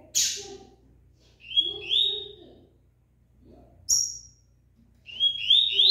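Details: Double-collared seedeater in moult keeps singing fast: sharp high notes alternating with paired and tripled bright rising whistles in quick bursts, separated by short pauses, with faint low sounds behind.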